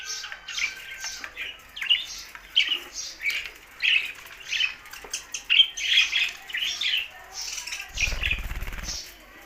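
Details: Budgie chatter: a dense flock-like stream of warbled chirps, clicks and short squawks, steady and irregular, ending with a low rumbling burst.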